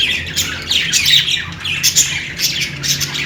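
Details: Budgerigar chatter dominated by harsh squawky notes and descending chirps, continuous high warbling from more than one bird.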